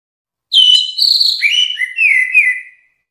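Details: Orange-headed thrush song used for training other songbirds: one continuous phrase of about two seconds opening with high whistles, then dropping to lower, fluttering slurred notes that fall toward the end, in a silent background.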